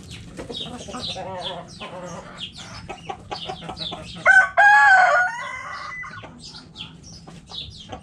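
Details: Backyard chickens in a coop: soft scattered clucks and chirps from hens, then a rooster's loud harmonic crow about one second long, drawn out and slightly falling, followed by more quiet clucking.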